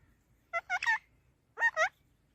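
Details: Parrot uttering two short clusters of harsh, nasal, syllable-like squawks, each with two or three linked notes, over quiet low background hum.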